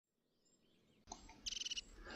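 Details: European crested tit, a small grey-headed bird with a raisable crest, giving a short burst of high, rapid, trilled notes repeated in a quick even series, preceded by a brief scratchy sound and faint background hiss.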